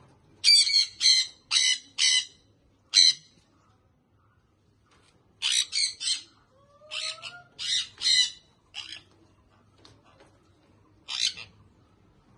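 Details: Young sun conure parrot calling in bursts of loud, grating squawks, four rapid ones then a pause, followed by another irregular run of rough screeches with a faint whistle between.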